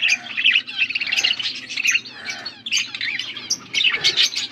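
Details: Beautiful blue budgies feeding one another on August 13, 2024, giving a busy stream of shrill chirps, squeaks and scratchy warbled phrases in quick bursts, voices overlapping throughout over a soft low background hum.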